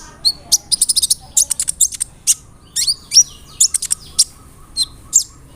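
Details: Kolibri ninja, the brown-throated sunbird, in a roll nembak lure song with fill-ins of cricket, cililin, sparrow and cerr; rapid runs of thin, high ticks mixed with short swooping whistles, then sparser notes.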